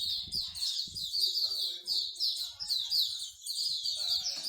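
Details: Many songbirds at a Singapore bird singing corner pour out bright, high chattering and whistled trills in an unbroken stream, while low human voices and soft thuds come through in the background.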